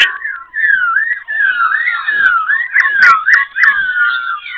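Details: Black-throated laughingthrush in Bình Chánh, Ho Chi Minh City, switching voices in song: long warbled whistles that wobble up and down, flowing almost without pause, with a few soft clicks.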